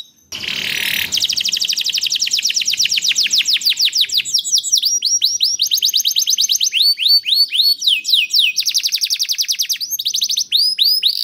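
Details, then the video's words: Lure recording of canary song meant to start other canaries singing: after a brief buzzy opening, sustained fast trills of downslurred notes give way to looping whistles and rattling tours, continuing without break. "Sekali Putar Kenari Lain Langsung Nyaut Bunyi Gacor || Voice of Canary"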